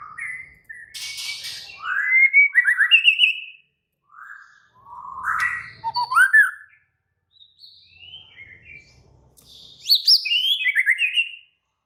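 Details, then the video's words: Agitated White-rumped shama in excited, active song: repeated bursts of loud whistled slurs, buzzy trills and sharp rising notes, with short pauses between phrases and faint low background noise. "Murai batu langsung EMOSI TERPIKAT suara murai batu ngamuk AKTIF"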